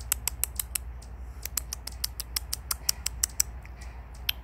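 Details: A chatty young male Anna's hummingbird, about three feet away and perched near a string of lights, gives sharp, high, dry chip notes, about twenty in quick irregular bursts. Earlier it was bickering with another hummingbird. A low steady hum is in the background.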